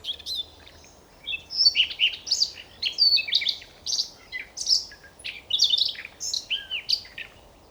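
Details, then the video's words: Song of a Siberian rubythroat from the Novosibirsk area of Siberia, Russia: loud, varied phrases of sharp chirps, slurred whistles and twittering notes, delivered in quick bursts about every half second with short gaps. "Пение соловья-красношейки"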